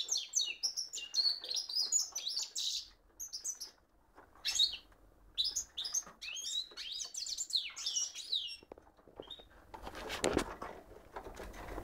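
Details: A cock goldfinch mule sings in full voice, delivering quick bursts of sharp, high chirps and trills separated by brief pauses, ending with a scratchy broadband rustle.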